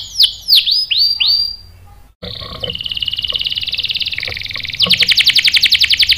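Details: Lure song of a canary meant to provoke others into singing; a few loud descending whistles, a pause, then a steady fast trill switching to a louder, pulsing roll.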